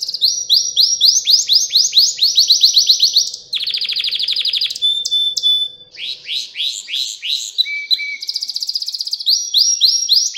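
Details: Pet canary singing at home, recording meant for training young canaries: rapid trilled phrases of rising notes, a buzzy rattle, a steady whistled tone, then more fast repeated rising chirps, loud and continuous.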